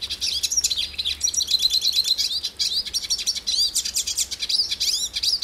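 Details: Continuous high twittering from a hooded siskin in Brazil, full of upward-flicking whistled notes and rapid chirps in an unbroken, lively stream.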